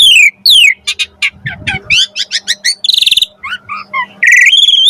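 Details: Jalak suren (Javan pied starling) training song for magpie-robins: descending whistles, a rapid run of chirps, a buzzy trill, short warbles and a final sustained whistle.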